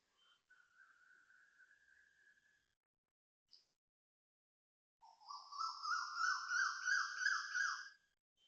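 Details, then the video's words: Asian koel giving a loud series of about seven rapid, rising whistled notes after a fainter drawn-out whistle, at 5:41am on 18 November 2025 in Toa Payoh, Singapore. "Loud koel noises"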